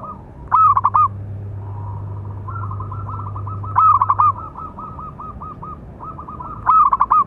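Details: Zebra dove of local stock, call used as a tutor and lure for other doves: loud stuttered notes recurring about every three seconds, each followed by a rolling series of quick coos, with a low hum beneath.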